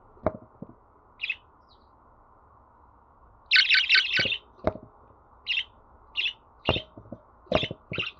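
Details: Pet budgerigar sounds meant to start a bird singing: sparse clicks and an isolated chirp, then a dense burst of five quick chirps and evenly spaced single chirps with sharp taps between.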